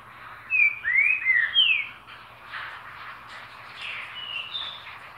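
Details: Green-winged saltator delivering a phrase of four rich, slurred whistles in quick succession, some rising and some falling, then quieter, echoing whistled notes trailing off.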